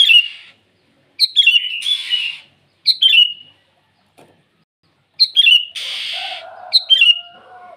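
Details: Morning song of a sooty-headed bulbul calling rivals: several short, descending whistled phrases broken by loud hissing bursts and a brief lower warble near the end.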